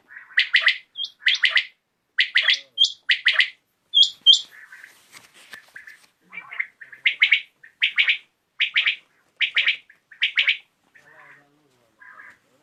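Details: A Common Quail (Coturnix coturnix), recorded in the evening, calls with short, sharp liquid notes in quick clusters of two or three, roughly once a second, against a quiet background.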